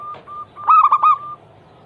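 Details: Zebra dove lure cooing for prompting other doves to sing. Short soft coo notes lead into a single loud, rippling coo of three or four quick pulses.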